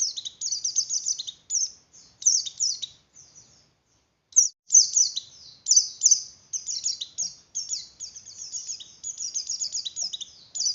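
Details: Javan grey-throated white-eye song used to stimulate breeding condition in other white-eyes: rapid, very high, thin twittering phrases in quick bursts, broken by a short silence near the middle, then continuing in dense chattering runs.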